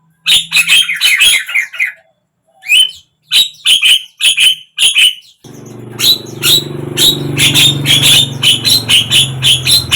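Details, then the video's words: Javan myna (jalak kebo) song, played to get a silent bird to open its beak and sing: harsh, squawky bursts in quick runs, a brief pause, then rapid repeated rasping notes over a steady low hum in the second half. "suara JALAK KEBO BISU BIAR IKUT BUKA PARUH"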